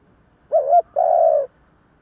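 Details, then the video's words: Single phrase from a decoy spotted dove calling to attract others, 'giọng thổ' voice: a quick wavering note then a steady half-second coo. "Tiếng cu gáy giọng thổ gáy gọi kích bổi / Cu gáy giọng thổ / Cu mồi giọng thổ gù gáy kích bổi chuẩn"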